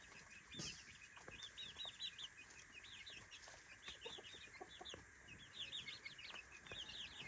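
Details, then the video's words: Three-week-old chicks in a daytime playpen: a steady stream of thin high peeps from several birds, quieter and partly masked by broadband clicks and background hiss. "three weeks old baby chickens"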